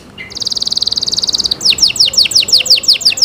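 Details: Canary cenkok song: a soft note, then a dense, bright high trill for over a second, followed by evenly spaced sweeping downslurred whistles, clear and prominent.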